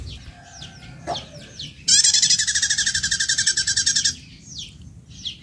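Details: A wild-caught female prinia, captive for about a month and not yet settled, gives a fast, buzzy, rattling run of about eight notes a second for two seconds, high and harsh, with thin high chirps before and after.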